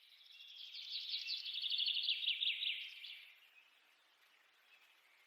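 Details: Monk parakeets, also called Quaker parrots, preening each other; a dense, harsh chattering chirp around three seconds long, swelling and then fading, with soft background hiss afterward.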